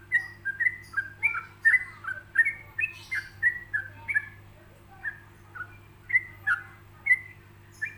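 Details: Paused, easygoing song of a yellow-vented bulbul for training other birds of its kind: bright, slurred whistled notes in a lively run that thins into spaced single notes near the end, with a faint low hum behind.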